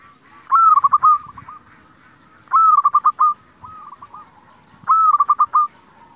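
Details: Lively local zebra dove, played to stir other zebra doves to answer: three rolling phrases of fast, staccato cooing notes, one roughly every two seconds, each opening with a louder note and trailing into a softer quick flutter.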